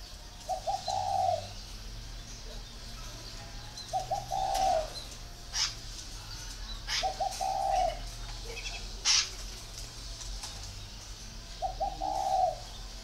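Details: Spotted dove from a bird garden at Ba Vì, Hanoi, in northern Vietnam, repeating a three-part coo about every three to four seconds, two quick clipped notes and a longer mellow note, amid scattered clicks and low hum.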